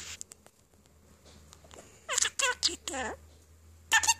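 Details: Pet budgerigar perched on its owner's finger, chatting away: a quiet stretch with soft clicks, then a burst of scratchy, warbling chatter notes with rising and falling squeaks, and a few sharp chirps near the end.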